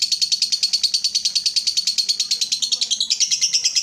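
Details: Ngekek of a lovebird, meant to trigger singing in other lovebirds. Rapid rhythmic high chatter with pulses evenly spaced, climbing to a higher pitch in the final second.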